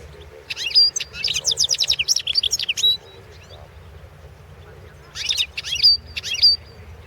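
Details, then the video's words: European goldfinch singing in the 2016 World Championship in Goldfinch Song competition: a fast rattling series of twittered notes for about two seconds, a pause, then more bright chirping phrases with high clear whistles. "Pesma štiglića World championship"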